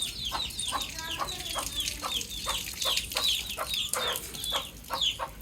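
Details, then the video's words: Cute baby chick peeping outdoors, bright high chirps falling in pitch, delivered several per second in a continuous, slightly irregular stream. "Cute Baby Chick Chirping"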